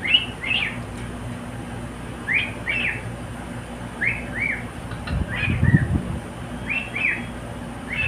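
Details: A pet cockatiel sings short, arched whistled chirps in quick pairs, about one per second, with a brief low rumble of handling noise midway; described as singing along with another bird.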